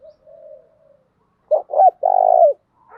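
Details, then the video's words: Female spotted dove decoy voice, cooing to provoke males into answering. A soft low drawn coo, a pause, then two sharp clipped notes and a loud vibrating rolling coo. A faint higher note trails at the end. "Tiếng chim cu gáy mồi giọng lôi cuốn hấp dẫn đủ bài[ THÚC GÙ , GÁY GỌI ]"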